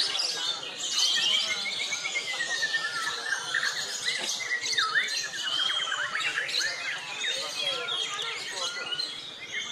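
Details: White-rumped shama in a singing contest class in Jepara, pouring out a dense, fast medley of whistles, trills and slurred notes, with several other birds calling and a busy background.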